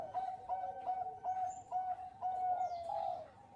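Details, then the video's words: Bangkok-strain zebra dove in full song as a lure recording, big-voiced and melodious: steady string of soft, even coos about three per second, with faint chirps of other birds behind. "Perkutut Bangkok Gacor Pancingan Suara Besar Cengkok Merdu"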